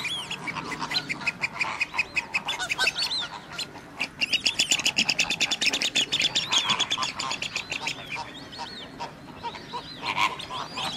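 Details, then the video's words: At WWT Slimbridge, a Radjah shelduck utters long rapid series of clipped, rattling high notes, pausing briefly and starting again, over a busy backdrop of other ducks and geese. "Radjah Shelduck"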